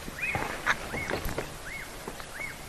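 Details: A distant Black-backed Puffback gives short arched whistled notes, about every three-quarters of a second, over low rumbling background noise, heard on an African live safari on 23 August 2023.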